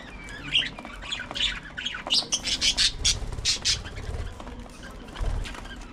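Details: Budgerigars at early morning feeding time, giving harsh, buzzy squawks in quick uneven bursts, loudest in the middle, with a low rumble underneath.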